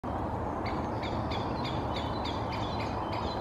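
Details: Two Great Spotted Woodpeckers moving through a birch canopy in Helsinki, Finland, in May, one calling incessantly: short sharp calls repeated about every half second over steady low background rumble.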